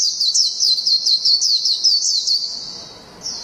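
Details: Japanese white-eye giving a burst of high, rapid twittering in the "ngalas" style, about two and a half seconds of quick descending slurred notes, then a short pause before a final note.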